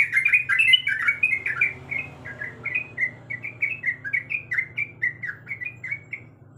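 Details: Sooty-headed bulbul female calling for a male while in breeding condition. A loud, crowded burst of chirps opens, then clean, evenly spaced warbled notes follow about three per second and slowly fade, over faint low humming.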